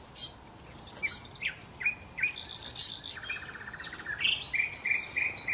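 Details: Sparrows at a hotel in Marsa Alam, Egypt, eating scraps left on the tables after breakfast; overlapping high chirps and quick downslurred notes from several birds, with a short buzzy rattle and steady background hiss.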